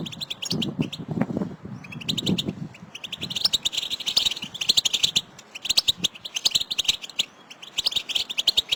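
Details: Excited goldfinch betbeta calling by several birds, used as stimulation for singing. Rapid high-pitched chips and buzzy twitters build up and run continuously, over a low rumbling sound at the start.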